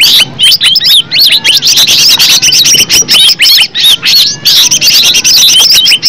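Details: Cucak ijo, or green leafbird, in a lure recording: quick sequences of arched and upslurred whistles mixed with sharp chips, delivered in short bursts with frequent tiny breaks.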